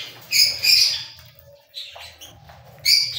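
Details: Shrill, raspy cockatiel calls: two loud squawks close together early on, a softer call midway, then another loud squawk near the end, with a faint low hum underneath.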